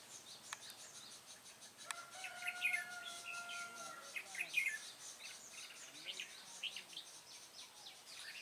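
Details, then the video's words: Caged decoy Red-whiskered bulbul singing at a trap on 3 March 2018, in the 'ché' style: short warbled, whistled phrases with bright high notes, amid chirps of other birds, a few sharp clicks and a steady low tonal hum. "Bẫy chào mào Cánh - Ché tít mù"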